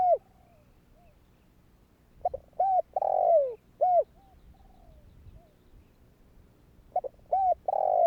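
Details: Spotted dove repeating its provoking call for other doves: stuttered opening notes, a stretched downward-sliding coo, a rounded coo with faint softer echoes afterward, then the phrase starts again after a pause.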